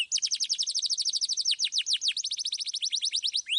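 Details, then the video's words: Canary delivering a long roll of fast repeated high notes, clear and steady throughout, sung loud to prompt young canaries to sing. "KENARI GACOR Suit Suit Ngeroll Suara Jernih"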